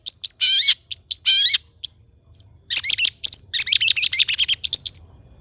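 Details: Long-tailed shrike singing vigorously, full of mimicked material, used as a lure to make other shrikes sing: harsh descending buzzy notes, then a rapid run of sharp chattering chips and high clicks.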